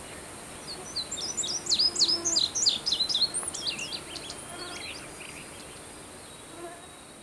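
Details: Indigo bunting song: a rapid series of high, sharp, downslurred notes, some doubled, lasting about four seconds, with a faint insect-like hum and background hiss.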